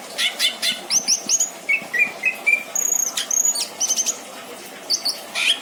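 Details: Caged greater green leafbird kept at a home in Indramayu, Indonesia, singing in a varied style: thin high whistles, short rapid chip series and brief whistled phrases separated by pauses, over a hissing background.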